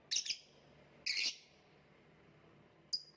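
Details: Lovebird giving short, shrill, high chirps in three bursts: a quick double note, a longer harsh burst, then two sharp clipped notes near the end, with quiet gaps between.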